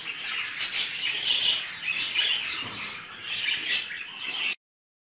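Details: Budgerigars mating inside a cage, giving a continuous scratchy, buzzy chatter with rapid chirps that swell and fade over about four and a half seconds, with brief wing flutters mixed in, then sudden silence.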